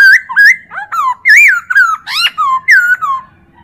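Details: Chinese hwamei singing a tutor song used to train other birds: a quick run of about eight loud, rich whistled notes, each slurred up or down, some swooping and some wavering, with a clean, quiet background.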